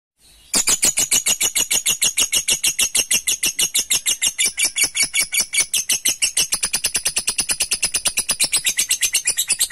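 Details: Lovebird in agitated ngekek, a long chattering song used as a lure to provoke rivals and call an opponent: a sudden start into a rapid, unbroken run of harsh, high chattering notes, about three per second, continuing nearly ten seconds.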